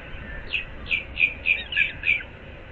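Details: Osprey at its nest, Moorings Park, Naples, Florida, 06:37 on 15 April 2024; six loud, slurred, whistled chirps at about three per second, each note rising then falling.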